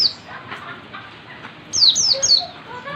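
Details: Oriental white-eye learning dense ngalas song, heard as a short burst of three high, steeply falling whistled notes after a quiet stretch of faint background noise.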